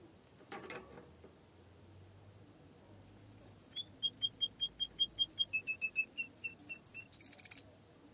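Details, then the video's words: A faint knock, then a canary starts singing: a measured series of high piping notes that speeds into rising sweeps and ends in a short, dense buzzy trill. "Canary singing"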